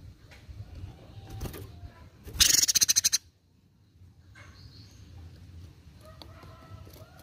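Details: Cucak cungkok singing actively for bird training: a sudden harsh, buzzy rattle of roughly ten quick pulses over under a second, amid soft rustling and faint distant chirps before and after.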